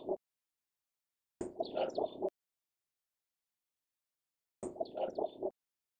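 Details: A male Cinnamon Bittern (Ixobrychus cinnamomeus) gives two short bursts of rapid, low, croaking notes, about five to a burst, with silence between them.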